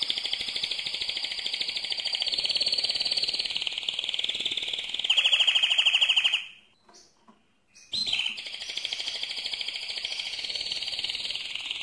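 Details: Mosaic canary delivering its loudest song: a long, continuous rapid buzzy trill, an even faster rattling section, a brief silence, then the trill resumes.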